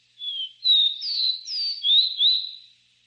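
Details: Three-note song of a capped seedeater: a bright sequence of six whistled notes, alternating downslurred and upswept, spread over about two and a half seconds in a quiet setting.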